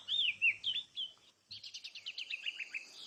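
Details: Oriental magpie-robin song opening with a few rich, looping whistles. After a short pause comes a fast series of clipped, repeated notes that slowly drop in pitch.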